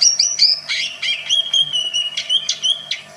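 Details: Greater green leafbird producing many different sounds to provoke other birds: high sharp notes, then a long level whistle broken by bright chips, with a faint hum in the background.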